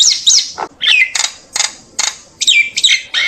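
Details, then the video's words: Common myna singing a flock-calling song of falling whistles, rasping bursts and sharp notes spaced by short pauses. "tiếng chim sáo nâu hót gọi bầy kích bổi giọng chuẩn"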